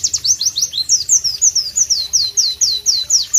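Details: White-eye, known in Southeast Asia as pleci, singing a loud, sharp, melodious song in a masteran style: rapid high descending whistled notes repeated about twice per second in a steady rhythmic series.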